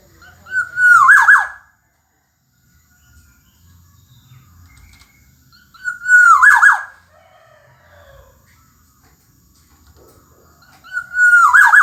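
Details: Black-naped oriole, known locally as kepodang emas, singing steadily in gacor fashion: three loud liquid whistled phrases roughly every five seconds, each finishing in a harsh buzzy flourish, quiet background between.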